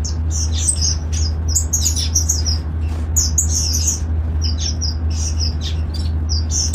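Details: Golden finches in an open garden colony aviary chatter in lively high chirps and brief twittering runs, closely spaced and overlapping, with a low continuous hum beneath.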